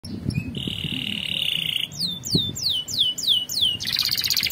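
Canary song: a long sustained trill, then a run of about six rapid descending sweeping notes, ending in a dense buzzy roll, over low background hum.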